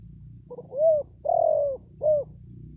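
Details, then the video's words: Spotted dove used as a decoy to lure wild birds into answering: a soft, low three-part coo, a short swelling note, a long sustained middle note, then a short closing note, over a faint steady hum. "SUARA PANGGILAN TEKUKUR PIKAT, BURUNG HUTAN PASTI NYAHUT"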